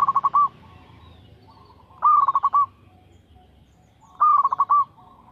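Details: A local zebra dove sings in regular rhythm, repeating three stuttering coo phrases roughly every two seconds. Each is a low, rolling series of fast pulses after a rising start, over faint low background noise.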